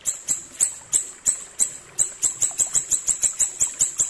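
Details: Ashy tailorbird tutor song, piercing high chips delivered slowly at first, then quickening into a tight, even series of about five per second.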